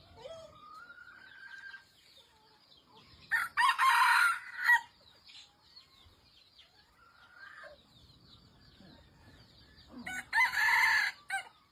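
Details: Red junglefowl giving two loud, raspy crows about six seconds apart, each a harsh burst over a second long. Soft whistled bird calls and a steady high insect hum sound between them.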